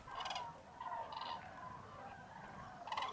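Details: Common cranes by the hundreds stir at dawn in icy fog at a huge mid-January roost, Tablas de Daimiel, Spain; loud bursts of rolling, harmonic trumpeting open and close the passage over a steady murmur of distant calling birds.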